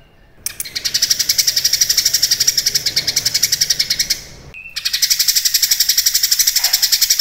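Cucak kinoi giving a rapid, high, buzzy chatter of about four notes a second, running on almost without pause apart from one brief break.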